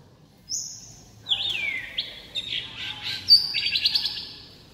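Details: White-rumped shama song with many varied phrases: a high sustained whistle, then a long downward-sliding whistled note, followed by a run of quick buzzy, chattering notes and a bright, sharp high whistle near the end.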